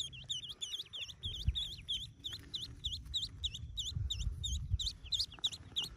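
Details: Ducklings just hatched in a cave nest, yellow chicks; loud, fast, high V-shaped peeps repeated about three per second by several chicks, with low rumbling underneath.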